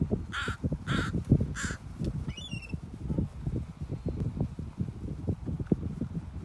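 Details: Northwestern crows on San Juan Island, October 2020, phone recording; three harsh caws in quick succession about half a second apart, followed by a brief squeaky rising note, over constant low rumbling noise.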